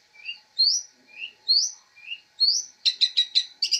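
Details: Chirping from a long-tailed shrike used as a master bird, labelled fighter: alternating low and high upslurred whistles about once a second, ending in a quick burst of buzzy trilled notes.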